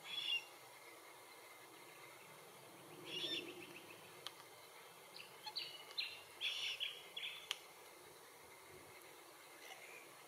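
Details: Glossy Black-Cockatoos (lathami) at Allocasuarina verticillata feed trees in Capertee Valley give a loose series of harsh, grating calls, several bunched together midway through, with soft clicks and rural quiet between them.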